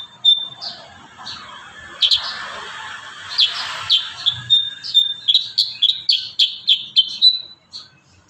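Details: Kurincang singing steadily as training audio for young birds: scattered high chirps at first, then a quickening series of clipped, evenly pitched notes delivered several per second before trailing off.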